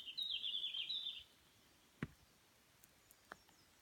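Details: Red-flanked bluetail song recorded on 1 June 2017 at a nature education garden in Shiga Heights, Nagano Prefecture, Japan: one short, bright, warbled phrase of just over a second, then quiet background with a few faint clicks.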